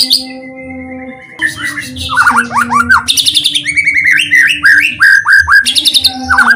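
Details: Lure song of a white-rumped shama meant to get other shamas singing. After a quiet first second, lively phrases of slurred, curving whistles and quick chirp trills repeat about three times a second over a constant low droning tone.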